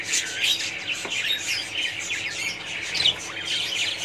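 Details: Budgerigars calling as a colony: overlapping chirps, quick rising and falling squeaks and raspy warbles from numerous birds, steady throughout with a sharper note near the end.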